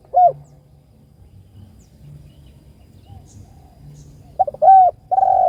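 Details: Spotted dove calling a companion: a single short coo at the start, a long quiet stretch of low hum, then a quick pair of coos leading into a sustained falling note.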